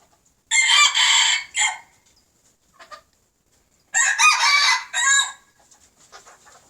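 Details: Red junglefowl males, old brood birds alongside young learners, crowing: two loud raspy multi-part crows about three seconds apart, each a long harsh phrase ending in a shorter clipped note, with faint clucks between.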